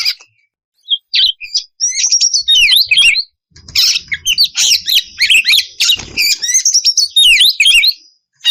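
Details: An oriental magpie-robin female in breeding condition calls the male: loud, fast sequences of sweeping whistles and harsh chatters, rising and falling sharply, with a brief silent break near three seconds and low thumps around six.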